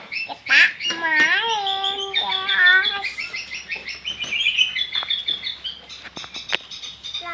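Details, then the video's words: A young long-tailed shrike practising its song opens with harsh, nasal falling squawks, then a rambling stream of scratchy, buzzy twitters and sharp clicks. "burung cendetbmuda belajar bunyi"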